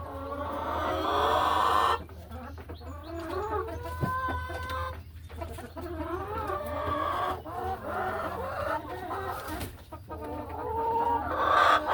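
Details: Laying hens in the hen house on an ordinary farm afternoon, settling into nesting boxes; several birds give soft, wavering clucks and drawn-out murmuring calls with brief gaps, a steady low hum beneath.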